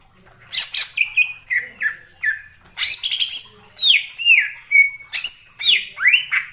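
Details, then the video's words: Greater green leafbird heard in the wild forest giving a lively mix of harsh squawky chips and slurred whistles, some sweeping down, some rising, in an uneven stream of notes. "suara cucak ijo di alam liar_ijo hutan"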